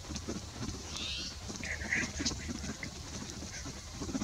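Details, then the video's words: Spotted towhee at Prince Edward Point National Wildlife Area, Prince Edward County, Ontario, on 20 November 2019, gives a couple of short, harsh, mewing notes, partly buried under steady low rumble and wind noise. "Spotted Towhee"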